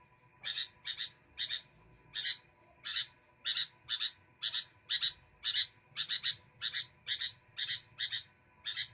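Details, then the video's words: Sooty-headed bulbul singing actively: short, bright chirped notes repeated about twice a second in an even, steady run, with a faint constant hum underneath. "Burung kutilang gacor"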